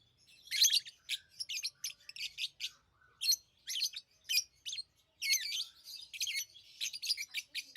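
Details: Continuous lovebird chirping: a busy stream of sharp, raspy high-pitched squeaks and twitters, tightly spaced with only short gaps, from pet birds.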